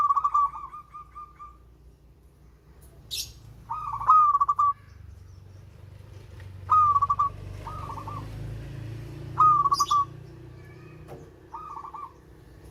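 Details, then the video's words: Melodious local zebra dove repeating short rolling coos about every two to three seconds over a low background hum, with occasional sharp high chirps from another bird. "Perkutut LOKAL SUARA MERDU"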